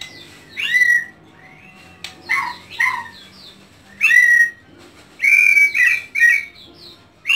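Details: Home-kept white-rumped shama singing loud, clear whistled phrases that sweep down to a steady note, in bursts about a second apart with short pauses between them.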